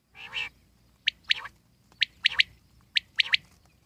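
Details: Wild common quail gives sharp, liquid three-note phrases, 'whit-wit-wit', about once a second, after a soft, rough opening note.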